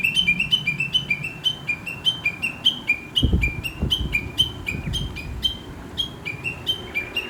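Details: Wild Chinese hwamei singing in rural countryside, heard each morning and likened to chatter: a rapid run of sharp, high, downward-slurred notes, two pitches alternating, about three per second, with a few low thumps mid-phrase.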